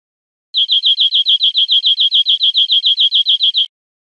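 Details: Teaching recording of European greenfinch song for cage birds, with a clean, quick series of about twenty high chirps in an even rattling rhythm lasting three seconds.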